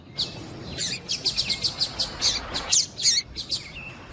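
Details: Steady run of high, clipped chirps from a female double-collared seedeater, repeated several times a second. The calling is used to get a male excited into song.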